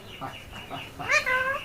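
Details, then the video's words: A pet talking parakeet, coaxed by its owner to speak, gives a short burst of nasal, speech-like chatter that rises, then holds a strained, wavering tone, with faint human voices just before it. "অস্থির কথা বলে টিয়া পাখি"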